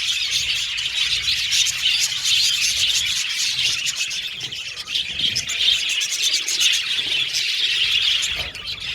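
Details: Budgerigar colony in an aviary singing and chirping; rapid overlapping high chirps and warbles, roughly three to four notes a second, in a busy, unbroken flock chatter.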